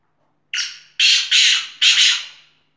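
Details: Black francolin giving a loud, rasping call of four harsh, scratchy notes in quick succession over about two seconds, each note broad and grating, with the background otherwise silent.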